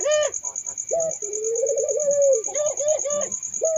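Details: Puter dove cooing with short bright hoots and a long, gently rising rolling coo, then quick choppy notes, against a constant high whining tone.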